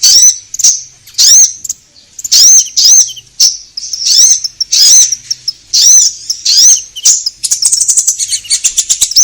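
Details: Vigorous orange-headed thrush singing to stir caged birds into song: a series of sweet rising-and-falling whistles with short gaps, ending in a fast, high twittering run of rapid notes.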